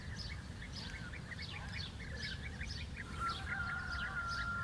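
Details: Several European bee-eaters in the dehesa wooded pasture of Doñana National Park, Andalusia, Spain, giving short rolling calls that overlap in a rapid chorus, with a steady whistled tone entering after three seconds over low rumbling background noise.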